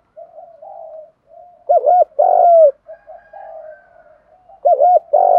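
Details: Spotted dove call used to lure and provoke rivals into fighting; low hooked coos around 600-800 in paired bursts separated by softer murmuring notes, clean background.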